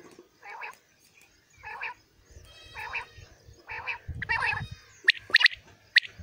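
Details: A common quail calling in a 2020 morning recording gives short, burry, hoarse notes about every second, then a few sharp clicking notes, with a low rumble in the background.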